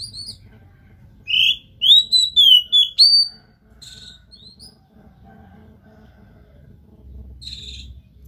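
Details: Singing Oriental magpie-robin, played so another bird will start singing; five loud slurred whistles in quick succession near the middle, framed by faint chirps and a high buzzy note at the end.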